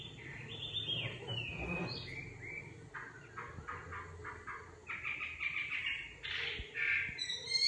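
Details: Nightingale singing: a varied run of clear whistled notes, then series of rapid, repeated chirping notes and louder rich phrases, with a low rumbling background noise throughout.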